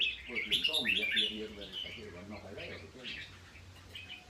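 A red-whiskered bulbul gives a quick burst of bright, liquid whistled phrases, loudest in the first second, with a person talking underneath.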